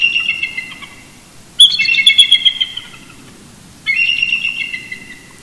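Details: Early-morning duet from a mated eagle pair roosting close to their Big Bear Lake nest in California, November 2018: a fading chortle, then a loud stuttering series of piping squeals, and a third chortle starting after a short pause.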